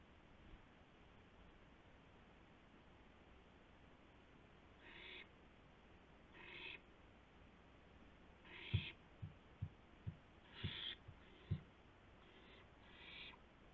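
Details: Owl delivering a gopher to its mate, night of April 2, 2016, on a live camera: a run of short hissing screeches, about thirty a minute, with several sharp thumps and knocks as the birds move.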